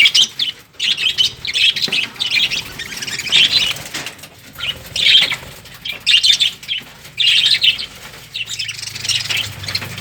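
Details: A lively run of shrill lovebird calls, sharp squeaks and chirps in uneven bursts over ten seconds, with a faint low hum late in the recording.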